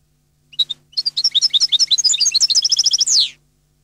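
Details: Song of a European goldfinch: two separate starting chirps, then a lively stream of high, bell-like twittering notes running into a repeated trill and closing with a down-slurred buzz.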